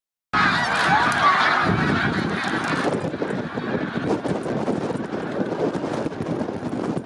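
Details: Snow geese on migration in March 2019 at Middle Creek Wildlife Management Area: a large flock gives a dense, continuous din of overlapping nasal honks. It is loudest in the first three seconds, then becomes a softer, steady babble.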